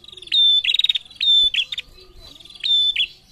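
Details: Female prinia answering males: a high piercing whistle followed by a buzzy, rapid ticking trill, given three times in quick succession.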